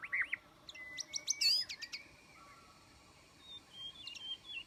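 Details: Trapping-lure song of a white-rumped shama, opening with looping whistles, then a burst of very high, rapid sharp notes, a low drawn-out whistle and, later, softer high twittering.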